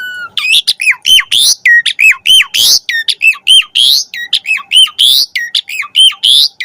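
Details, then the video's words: Jalak suren (Asian pied starling) in full varied song, meant as a tutor recording for caged starlings: repeated hooked whistles alternating with harsh noisy squawks, about one phrase every second, loud and clear. "Suara Jalak Suren Gacor Full Variasi Cocok Buat Masteran & Pancingan Burung Jalak Agar Gacor Isian"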